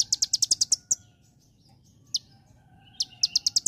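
A white-eye sings in bursts of sharp, very high chips, about seven in quick succession, then a pause, a lone chip, and another rapid run.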